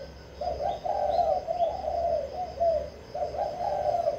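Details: Kích bổi song of a spotted dove in Vĩnh Long, sung to stir wild doves: opens quietly, then strings of deep, rolling coos run almost without pause over a faint background hiss.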